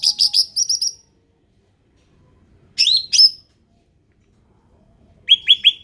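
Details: Ruby-throated bulbul, endemic, giving quick buzzy high chirps in a short burst, then after silence a pair of sharp falling notes and a final triplet of lower slurred chirps.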